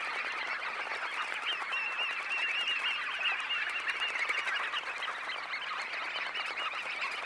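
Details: Roughly 20,000 red knots lifting off a high tide roost, heard close: an unbroken roar of countless short chattering calls, steady in loudness, with a faint whirr of wingbeats beneath.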